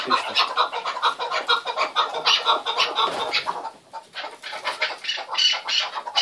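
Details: Chukar partridges clucking in a busy, overlapping chorus, harsh notes coming about twice a second, dipping briefly quieter midway before picking up again.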